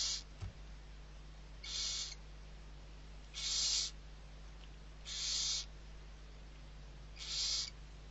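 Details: Barn owl chicks, six in number, fed by people at Riet Vell reserve, Ebro Delta, Spain, 21 November 2023. Five breathy, hissing screeches come roughly every 1.8 seconds. A soft thump opens the sequence, with a steady hum beneath.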